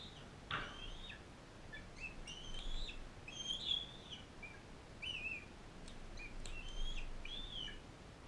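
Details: At a rehabilitation centre, a non-releasable female bald eagle fostering a bald eaglet from Powell River. High wavering whistles, some with sharp clicks between them, repeat irregularly over about eight seconds against a soft low hum.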